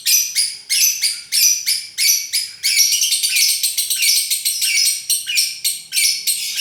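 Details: Lovebird singing in the style called konslet: bursts of shrill, harsh chirps, about six short phrases in the first half merging into a continuous rapid chatter, each note high and scratchy, with a steady fast pulse.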